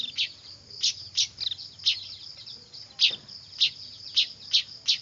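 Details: Noisy weaver chicks, whose calls serve as a lure: high, squeaky chirps spaced roughly every half second, with brief pauses, against a faint low hum.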